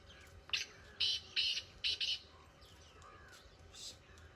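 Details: Black francolin in village fields uttering a rhythmic phrase of five grating, buzzy notes in about two seconds, with soft hum and faint chirps in the background.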